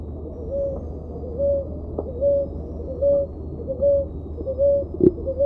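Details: A ruddy ground dove (Columbina talpacoti) sings, repeating a soft, low, even coo about every eight-tenths of a second, over a steady low rumble with a couple of sharp knocks.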